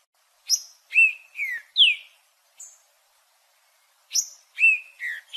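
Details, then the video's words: Green-winged saltator (trinca-ferro) song used to warm up a cold bird: two loud phrases, each opening with a sharp high note followed by clear slurred, downward-sliding whistles, separated by a pause of about two seconds, with a quiet background. "TRINCA FERRO CANTANDO"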